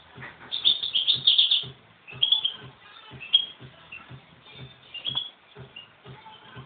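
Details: Goldfinches in a fight: an opening rush of quick, scratchy high twitters, then scattered short chirps and brief chatters spread over several seconds, with regular dull low thumps throughout.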